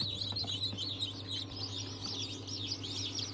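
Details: Newly hatched chicks of several breeds including Ayam Cemani and Cochin, 22 January 2023, producing a brief burst of dense, high twittering peeps above a low constant hum.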